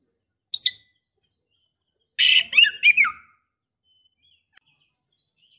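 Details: Female Oriental magpie-robin calling to a male to stir, provoke or invite mating: one sharp high note, a pause, then a quick burst of harsh, falling chattering notes.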